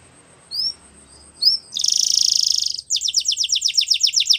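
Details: Canary singing a training song: two short upward whistles, then a dense buzzing trill lasting about a second, followed by rapidly repeated descending chirps.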